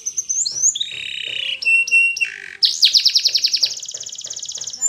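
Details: Spanish Timbrado canary training song: gliding whistles and a clear held tone, then a bright, fast, evenly pulsed rolling trill, with faint lower sounds underneath.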